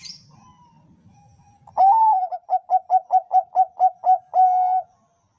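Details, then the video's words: Bangkok-type zebra dove, a kept bird, song used to train another bird's voice: a long low coo, then a rapid run of about ten short, evenly spaced cooing notes, ending in a drawn-out steady coo, with faint rustling beforehand. "suara perkutut bangkok"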